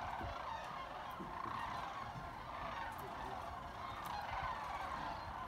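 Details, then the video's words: Sandhill cranes trilling and chatting at Jasper-Pulaski Fish and Wildlife Area: a dense, unbroken wash of rolling trills from many birds overlapping into a crowd-like murmur, with low rumbling noise underneath. "Sandhill cranes trilling and chatting"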